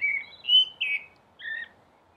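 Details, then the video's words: Short fluted phrase from a common blackbird on a rooftop: two or three mellow, level whistles in quick succession, then a pause and a softer double whistle. "Blackbird singing"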